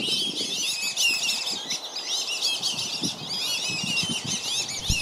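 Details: A crowd of Black-bellied whistling ducks in Lakeland, Florida, where parents chase off intruders to protect their young; shrill wavering whistles pour out nonstop from many birds over soft low thumps and water noise.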